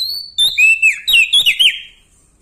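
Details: {'caption': 'Bar-winged prinia from Lombok, loud and vigorous: a held high whistle, then a quick series of ringing, looping, down-curving phrases about five per second, fading out after two seconds.'}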